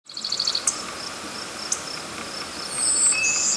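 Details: Adult male golden-winged warbler in New Jersey, singing to establish its territory: thin, high buzzy notes ending in long insect-like buzzes. Another bird trills briefly at the start, and a steady background hum runs throughout.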